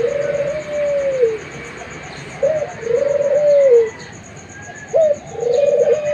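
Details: Young Puter Pelung dove, kept bird, singing long drawn low coos of the pelung style, each a short rising note followed by a sustained hollow coo that falls at the end, three phrases, a faint steady high ticking behind.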